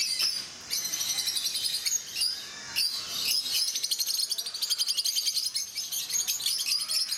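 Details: Rosy-faced (peach-faced) lovebirds at Mysore Zoo chatter as a social flock: a steady stream of shrill, high squeaks and chirps that overlap throughout with barely a pause.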